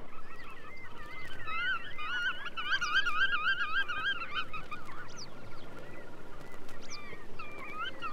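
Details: Black-tailed Godwit (Limosa limosa) giving nasal, wavering calls in a fast quavering series, then a few shorter calls, over a low rumble and hiss.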